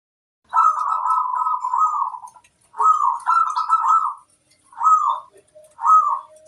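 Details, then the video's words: Local zebra dove singing in the kerot koar style, meant to stimulate mood and breeding readiness in other doves: rolling, purring trilled coos, two long phrases then two short ones, separated by brief pauses, with faint high chirps above. "Kusus kerot koar untuk menaikkan mental dan birahi burung perkutut"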